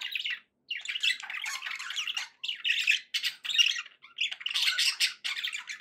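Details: Contented pet budgies keep up a near-continuous stream of buzzy warbling and squeaky notes in quick packets, separated by short gaps, in a small indoor space.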